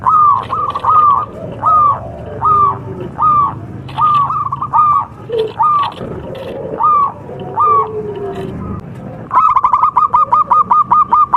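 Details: Local contest zebra dove singing on a training recording: single down-slurred coos repeat a little over once a second, then a rapid, evenly spaced string of bright notes closes the phrase.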